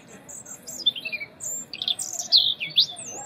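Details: Loud melodious winter song of a European robin: high thin whistles, then a fast sequence of sliding, tinkling notes rising and falling in pitch, with slight background hiss.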